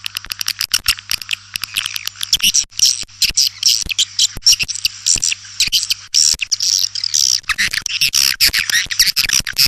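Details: White-nest swiftlet lure sound for attracting swiftlets: rapid irregular clicking interwoven with continuous high, thin twittering and squeaks, a low steady hum in the background for most of its length.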